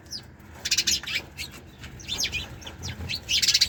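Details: Sparrows chirping: bursts of short, high, sharp chirps come in quick clusters separated by brief pauses, with several birds seeming to overlap against a faint low background hum.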